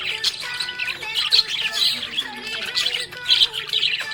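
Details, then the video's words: Budgies chirping in a happy mood: continuous scratchy warbling, quick tweets and little rising and falling whistles, with light background music holding low notes. "Happy budgie chirping sound"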